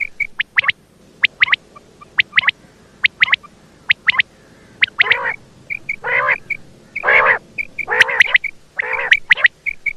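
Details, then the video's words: Quick paired high ticks and short chirps build up into a run of loud, harsh, buzzy nasal notes from a calling female quail, with chips continuing between them. "female bater sound"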